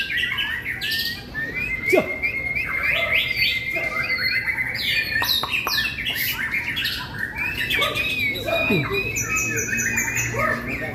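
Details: Recently moulted caged white-rumped shama performing at a field competition with a limited repertoire: a dense run of bright whistles, buzzy notes and clicks, with other birds and crowd noise in the background.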